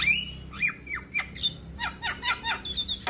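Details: Singing male Javan myna, meant to spur other mynas into song: a series of harsh, squawky, steeply falling slurred notes given in quick succession, with a high whistle at the start.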